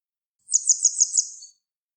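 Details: Grey wagtail singing: a single high, rapid phrase of about five sharp, pulsing notes lasting roughly a second, with no other sounds.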